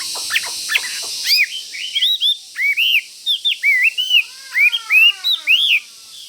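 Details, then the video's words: Wild-type Chinese hwamei, a fighting bird caged near a rival, pecking at its cage; a loud run of rising and falling whistled notes, slurred and repeated about twice a second, following a few sharp clicks at the start. "Họa Mi Mộc Máu Chiến Cứ Gần Là Mổ Lồng"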